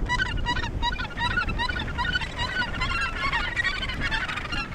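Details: Australasian gannets at the Point Danger breeding colony near Portland, Victoria, Australia: harsh, rasping calls repeated in quick succession from several birds, over a steady low rumble of wind and surf.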